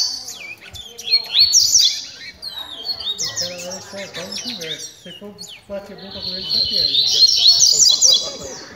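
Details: Double-collared seedeaters singing during a training session: three bursts of high, fast twittering and warbled trills separated by brief pauses, with quieter lower chatter and a faint voice between phrases.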